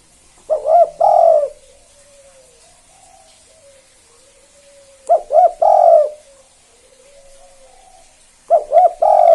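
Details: Spotted dove (tekukur), a 'kuk 2' type lively singer used to provoke other doves to call: three deep cooing phrases of rising and falling hoarse notes, each about a second long, separated by quiet pauses of several seconds.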